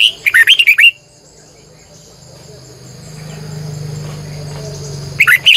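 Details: Morning song from a red-whiskered bulbul kept as a lure bird: a loud phrase of quick, rolling warbled notes opens, and a second phrase begins at the end, with a low hum and insect buzzing between.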